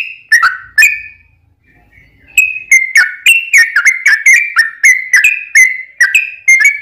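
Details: Yellow-vented bulbul in long rapid 'ropel panjang' song, used as a lure to make other bulbuls answer; a first burst of bubbly notes, a short quiet gap, then a dense run of quick rising and falling whistled phrases.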